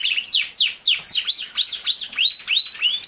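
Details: Domestic canary song played to train a young male canary to sing: a fast run of bright down-slurred whistled notes, about four per second, shifting into rising-falling arched phrases, clear and loud with no other sounds.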